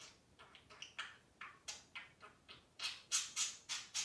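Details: Two pet budgies chattering back and forth indoors: a run of sharp, bright clicks and ticks, spaced unevenly, growing louder and denser toward the end.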